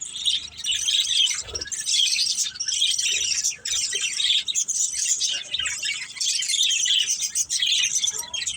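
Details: Budgies from a family flock, busy at play, give a nearly unbroken stream of shrill chirps and scratchy warbling, pulsing in loose waves about once a second.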